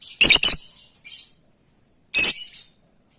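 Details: Lovebird calling to its companions: harsh, high screechy shrieks, a double burst at the start, a softer call near one second, then another loud shriek after two seconds.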